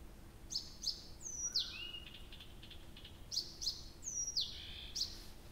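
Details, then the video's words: All-night song of a nightingale at Abramtsevo, beginning of June: paired sharp clicks lead into bright descending whistles that drop to a lower level note, the whole phrase repeated twice. "Соловей поёт всю ночь"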